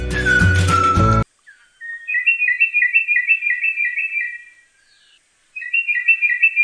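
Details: Sri Lanka Drongo (Ceylon Crested Drongo), an endemic of Sri Lanka's lowland rainforest typically found in pairs and known to imitate other birds, gives quick, clear whistled two-note phrases, about three a second, in two bursts; brief music opens.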